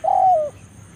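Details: Spotted dove (tekukur) luring a rival in the forest: one smooth hollow coo lasting about half a second, steady then gently falling at the end, over faint background hum.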